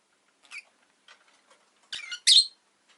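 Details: Rosy-faced lovebird at home giving faint scratchy notes, then two loud harsh chirps near the end, with light background rustling.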